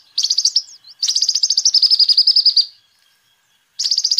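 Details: Lively kolibri ninja sunbird song, used for luring and tutoring birds. One long, fast, high metallic trill lasts almost two seconds. It goes quiet for about a second, then another trill begins.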